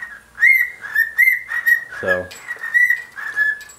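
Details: Male pet bird swinging and singing to a shoe indoors, excited by shoes: a run of bright, steady-pitched whistled chirps repeated several times a second, with a brief low buzzy sound midway.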